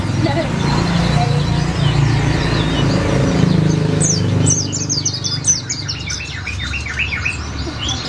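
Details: High, thin sunbird phrases from an olive-backed sunbird (sogok ontong), a tutor song for white-eyes. Dense rapid descending squeaks come in the second half after a noisy start dominated by low rumbling traffic.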